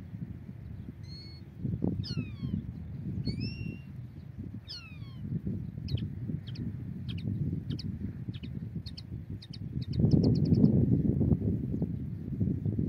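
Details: Migratory European goldfinch during trapping, giving a run of sharp chirps and short twittering notes, about one every half second, that speed up toward the end, over steady low wind rumble.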